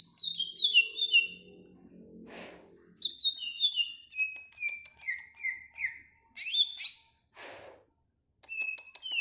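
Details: Greater green leafbird song, quick descending whistled notes repeated in series, mixed with sharp chirps, two short bursts of noise, and a brief silence near the end.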